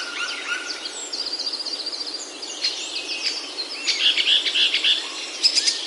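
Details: Birdsong in Himalayan oak woods of Himachal, India, heard along a mountain forest trail: rapid, high twittering and thin trills, with a louder burst of quick sharp chirps toward the end over a soft hiss of forest ambience.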